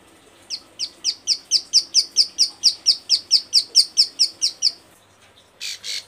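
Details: A female bar-winged prinia in breeding condition, calling to a male, gives about eighteen sharp, high, downslurred notes at a steady four per second, ending with two short noisy bursts.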